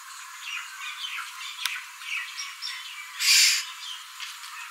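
A Black-hooded Oriole gives one loud, harsh, nasal squawk after three seconds, among faint high chirps and short whistles from other birds.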